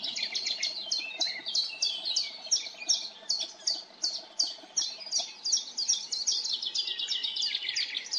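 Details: Common chaffinch singing in a forest: a dense, unbroken stream of high, bright chirping notes repeated rapidly for the whole stretch, with several overlapping phrases suggesting more than one bird calling at once.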